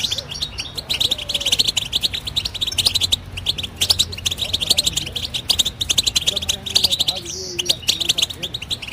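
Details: Continuous twittering song of a European goldfinch: rapid, high, tinkling chirps and short trills run without pause, with a faint low hum underneath.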